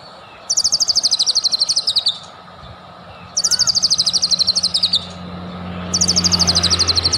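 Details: Energetic white-rumped shama song played to provoke singing: three bursts of very fast, high, slightly descending trills, each about one and a half seconds long and separated by short pauses, over a steady low hum.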